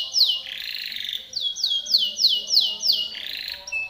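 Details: Timbrado canary singing a training song meant for teaching other canaries: loud, fast series of bright, downward-sweeping whistled notes repeated about three times a second, opening and closing with longer rolling buzzy trills.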